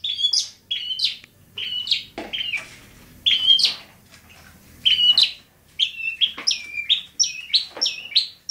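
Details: Long-tailed shrike singing at Bobotsari: short sharp chirped notes with whistled inflections, delivered in bursts about every second, some harsher buzzy notes mixed in, with faint low background noise.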